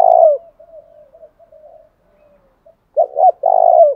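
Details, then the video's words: Spotted dove decoy calling to provoke wild rival doves into fighting: a long low coo fades out, soft murmuring coos follow, then two short rising notes and a drawn-out falling coo near the end. "Tiếng chim cu mồi thúc đấu kích bổi hiệu quả/ kích là gáy"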